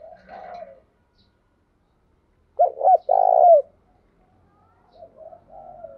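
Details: Decoy cooing of a spotted dove meant to make other doves call all day; a strong three-part coo with a long buzzy final note, framed by quieter answering coos before and after.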